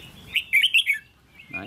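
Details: Trainee decoy red-whiskered bulbul, being tested for its attitude, gives one brief warbled phrase of quick, bright, rising and falling notes. A fainter note follows after a pause.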